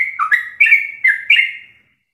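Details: Sooty-headed bulbul singing a rapid-fire ropel song full of varied phrases, kept as a master recording for training captive birds. Four quick bursts of clear, liquid whistled notes rise and fall within two seconds, with no other sounds.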